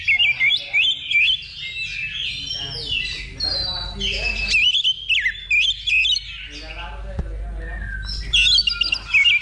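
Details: Oriental magpie-robin in a simulated level 2 song competition used as training before a contest: rapid varied whistles, chirps and trills in dense bursts, short pauses between phrases, a brief click midway, steady low hum beneath.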